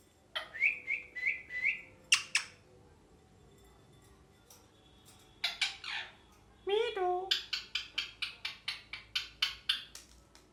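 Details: Pet rose-ringed parakeet, or ringneck, known locally as mithu, calling indoors: a few short steady whistled notes, harsh squawks, then a rapid run of sharp, buzzy chirps several times a second.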